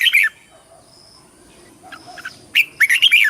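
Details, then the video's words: Red-whiskered bulbul singing for voice training and competition: a short bright phrase, a quiet gap with faint soft notes, then a rapid ringing run of clear whistles. "TIẾNG CHIM CHÀO MÀO HÓT - HÓT ĐẤU - KÍCH BỔI - GỌI BẦY - LUYỆN GIỌNG"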